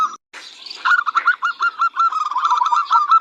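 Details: Rapid rolling coo series from a local zebra dove kept as a tutor bird, about a dozen quick bubbling notes in close succession after a short burst of higher chatter.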